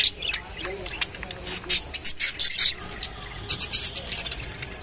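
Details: Rainbow budgerigar feeding on water spinach (kolmi shak), giving short sharp high chirps in uneven bursts, a dense cluster around the middle, over a faint background hiss.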